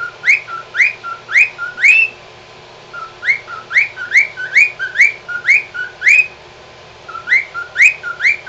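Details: A pied cockatiel, singing when happy, whistles bright, upward-sweeping notes in quick bursts of four or five.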